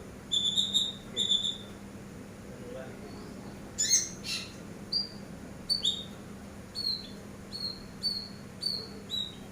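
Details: Master recording of a Eurasian tree sparrow for training other birds: clear high chirps in a short pair, a sharp broadband rustle, then a steady series of bright, slightly falling notes spaced about a second apart.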